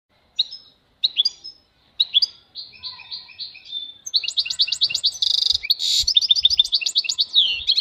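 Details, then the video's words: European goldfinch singing, presented as a vocal exercise for stimulating and training goldfinches. It opens with spaced, high chirps that build into a fast, continuous twittering run of liquid trills and buzzy notes, growing denser and louder. "important vocal exercises necessary to stimulate goldfinches"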